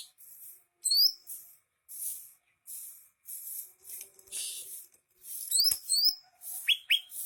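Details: Greater green leafbird in full song, mostly very high, hissing bursts with a few thin rising whistles, then two quick falling whistled notes at the end.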